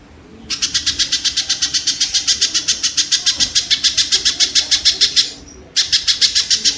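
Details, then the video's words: Kingfisher, played as training audio for songbirds to copy as rapid-fire notes: a fast series of harsh, buzzy notes, about three to four a second, that breaks off briefly and then resumes. "suara burung tengkek"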